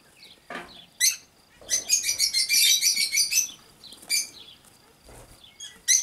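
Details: Cockatiels chattering: a dense run of harsh, buzzy chirps in the middle, with scattered single calls before and after and some rustling or wing sounds.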